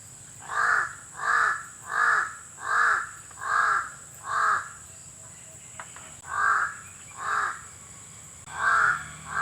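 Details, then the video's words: Crow, locally called uwak, giving a steady series of harsh, hoarse caws about once every three-quarters of a second, with a short pause midway; a constant thin high whine runs underneath throughout. "Crow(Uwak) Calling Sound"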